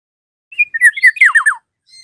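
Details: Black-naped oriole calling a rival: a short bright phrase of rising chirps, then three loud slurred notes sweeping downward in quick succession, followed by a faint high note.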